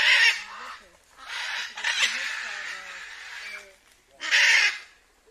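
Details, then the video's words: Blue-and-yellow macaws released into the wild after rescue from captivity and rehabilitation give loud, grating squawks, one short, one long, one short again, while people talk quietly underneath. "Soltando as Araras Canindé"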